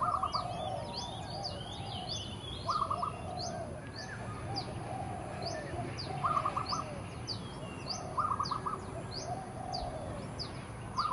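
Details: Early morning territorial song of an Oriental magpie-robin: quick, high, downslurred whistles over and over, with short mid-pitched note bursts every few seconds, lower warbles, and other birds in the background, including a visiting oriole.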